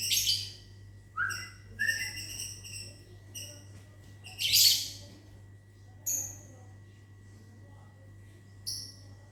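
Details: Lovebird in a small aviary in the morning, replying after being whistled at. Bursts of sharp, high chirps and shrill squeaks separated by short silences, with a short person's whistle early on.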